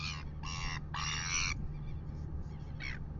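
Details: Red-billed gulls annoying a royal albatross at dawn, 6:27 AM, New Zealand, recorded by a live webcam: three loud grating squawks in quick succession, then a quieter final screech, with constant low wind noise.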